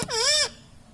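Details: Talking pet Indian ringneck parakeet gives a single short laughing squeak, dipping then rising in a strong harmonic arc, in a quiet room.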